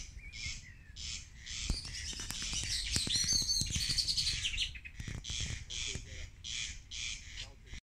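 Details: Two corn crakes (Crex crex) "singing" on 19 May 2020 at Lammassaari duckboards, Viikki, Helsinki, a brown hare listening nearby; a corn crake repeats its dry, rasping double note, like a comb drawn over a card.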